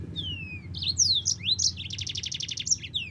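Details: Yellow-fronted canary singing in a tutoring recording for cage birds: a long falling whistle, then quick twittering notes and a fast, evenly pulsed trill, with a low background hum.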